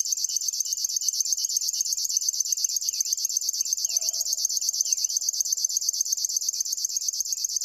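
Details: River warbler song as a fast, rhythmic, shrill buzz of repeated pulses, about eleven per second, while faint downslurred notes from another bird and a brief low sound occur behind it.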